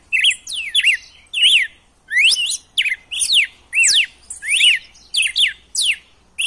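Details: Song of a red-cowled cardinal, used to fire up a caged male into singing: rapid, loud whistled notes in quick succession, slurred up-and-down swoops with thin high overtones, densely packed and slightly irregular.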